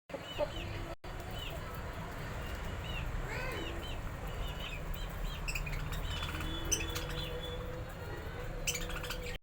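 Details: Pet budgerigars eating new food chatter with short, warbling chirps and squeaky notes over a steady low hum.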